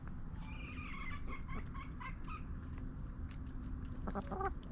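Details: Free-range hens scratching in the dirt and snacking on treats give soft, short clucks in scattered bursts, ending with a quick cluster of sharper notes, over a constant low rumble of background noise.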